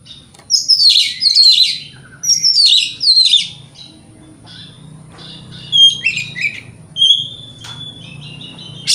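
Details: White-rumped shama, a lure recording made in the morning to provoke rival birds to answer; loud high song of scratchy rasping bursts alternating with clear rising whistles, pauses between phrases, steady low hum beneath.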